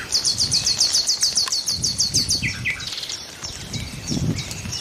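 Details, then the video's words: Nightingales singing: a fast, loud run of about a dozen sharp repeated notes in the first two seconds, then lower chattering phrases, with other birds twittering in the background. "A few minutes of lull with the sound of nightingales"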